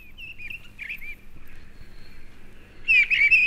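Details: Mistle thrush, the stormcock, a British woodland bird that sings through winter gales. It gives short, loud, fluted whistled phrases, then falls quiet before a louder, richer phrase near the end, over a faint low rumble.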